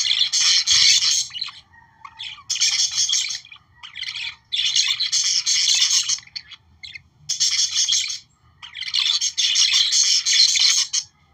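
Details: Australian parakeets, or budgerigars, warbling to encourage breeding: long stretches of fast, scratchy chatter and squeaky notes broken by short silences, the phrases restarting about every one to two seconds.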